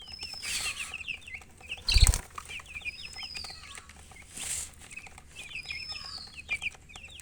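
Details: Young chickens peep in rapid, high, descending chirps throughout. A loud knock interrupts at two seconds and a rushing noise at four and a half seconds, with thin whistles overhead.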